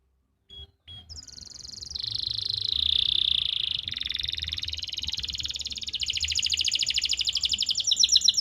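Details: Canary singing for other canaries in Pati, Central Java, to help them sing: a few soft clicks, then a long smooth high roll that gradually breaks into a fast, rising pulsed trill.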